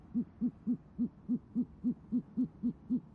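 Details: Nest-camera recording from Oklahoma City, 28 January 2014 around 6:54pm: great horned owls calling as the female summons the male. A fast, even string of eleven short, low hoots, about four each second.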